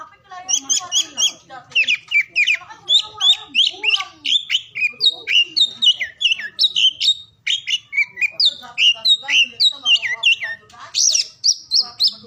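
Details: Oriental magpie-robin in full song, used to encourage mute or lazy birds to sing: a rich, continuous flow of loud whistles, rapid trills and sweeping notes with almost no gaps and very clean background.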